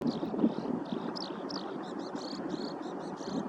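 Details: Eurasian skylark on the Edo River riverbank, Tokyo, in March 2025, pouring out a continuous, rapid stream of high, chirruping and trilled notes against a steady low rumble of traffic or wind.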